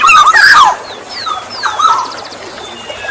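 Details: Black-naped oriole song meant to attract other orioles. A loud burst of tangled fluty and nasal notes opens the phrase, then fainter thin whistles and softer slurred notes follow.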